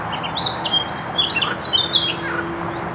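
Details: Mute swan cygnet, one of two seen at a nest on 26 June 2021 around 10:00: thin, high, wavering peeps in short clusters over steady background noise and a faint low hum.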